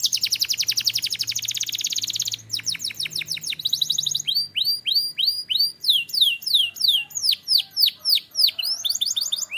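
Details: Turkish canary song opening with a fast high rattling trill, then shifting to a series of sharp downward-slurred whistled notes repeated about three or four times per second, each crisp and bright.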